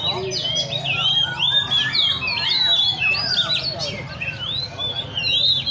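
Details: Several caged Oriental magpie-robins at a Lê Thị Riêng park bird cafe give a busy chorus of whistled, warbling phrases. Crowd chatter and a steady low hum sit underneath.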